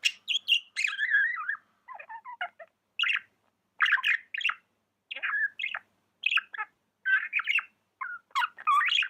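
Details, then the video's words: Tame budgerigar chattering continuously in clusters of quick, scratchy chirps and warbles, varied in pitch, separated by short gaps, with no other sounds. "Amazing budgie chirping sounds"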